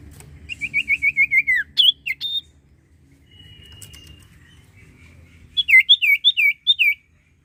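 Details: Common iora (sirtu) singing hard, used to get silent birds going: a run of six even, quick notes sliding lower at the end, a few sharp whistles, a pause, then six loud looping whistles.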